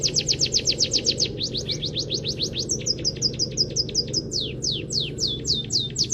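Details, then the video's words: Caged munia (peking emprit kaji) singing a canary-filled practice song. Fast strings of thin, high, downward-slurred notes at first, then slower, spaced descending whistles, all over a constant low background hum. "Masteran Burung Peking Emprit Kaji Gacor ❗❗Isian full Kenari"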